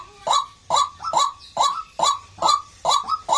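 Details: White-breasted waterhen calling: a rapid run of harsh, honking croaks, some doubled, about two to three per second, loud and close against a quiet background.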